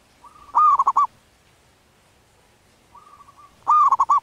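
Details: Wild zebra dove in breeding condition cooing: a soft flat introductory note followed by a loud burst of rapid rolling coos near one pitch, given twice with a quiet pause between.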